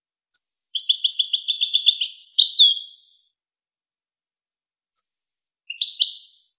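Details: European goldfinch song used as a tutor recording for young goldfinches and hybrids: a fast run of bright twittering notes over two seconds, a short buzzy flourish, then a pause and a brief high twitter; no other sounds.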